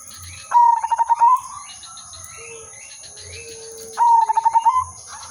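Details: Singing zebra dove, silver udanmas variety, recorded as a trapping lure: a fast rattling series of coos near the start and again three and a half seconds later, quieter lower coos in between, a persistent thin whine and regular low knocks behind.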